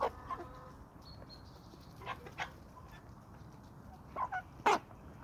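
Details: Flock of chickens and roosters on a small suburban homestead in Toxandria; scattered clucking calls, a cluster of brief notes near the end and one sharp, loud squawk close to the finish.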